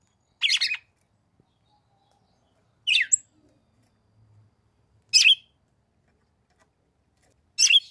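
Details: Female red-cowled cardinal calling to stimulate the male in summer caatinga of the northeastern Brazilian sertão; four sharp high chirps, some doubled, repeated every two to two and a half seconds in a quiet setting.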